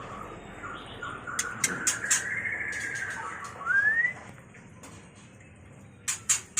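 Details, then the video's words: White-rumped shama giving a mating call, meant for luring and training birds: a long gently arching whistle, then a quick rising slur, with scattered dry clicks. "Suara murai batu kawin"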